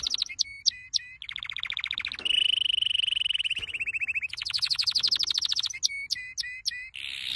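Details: Canary singing a training song: sharp upswept chips, then a sequence of trilled tours, one low steady rattle, a flat whistled buzz, and a higher rising rolled trill before more chips.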